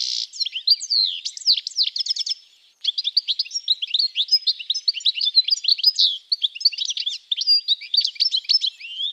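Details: A European goldfinch (Carduelis carduelis) at a Russian forest edge sings a fast, tinkling stream of high twitters, trills and liquid notes, nearly continuous apart from one brief pause.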